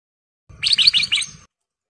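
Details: A single short burst from a male golden bulbul in breeding condition calling for a female: four or five rapid chirpy whistled notes within one second, with faint low rumble beneath.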